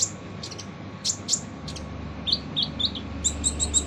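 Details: Van Hasselt's sunbird giving a rough training song for other birds: clipped high chirps, a series of four short falling notes, then a fast burst of bright squeaky chirps, over low background hum.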